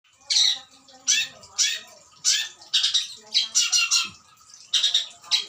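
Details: Adult Long-tailed Shrike, breeding stock suited for captive breeding, with song full of fill-in imitations: loud harsh rasping bursts about every half second, some sliding downward, with faint lower tones between.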